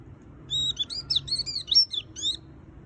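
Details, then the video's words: White-eye singing a lively chattering song, full of varied fill notes: a quick run of high, thin, sliding whistles and twitters lasting about two seconds, with a faint low hum underneath. "Suara Burung Pleci Gacor Full Isian - Tiếng chim vành khuyên líu"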